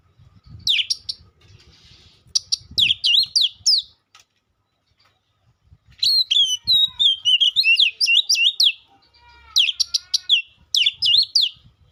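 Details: Oriental magpie-robin delivering separate bursts of bright whistled notes and quick sweeping phrases, divided by gaps of near silence, with a brief soft rasp between bursts.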